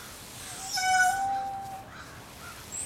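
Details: A male Indian peafowl at Assiniboine Park Zoo on 16 July 2010 around midday gives a single loud, nasal, ringing note lasting about a second, then fades into faint background hiss.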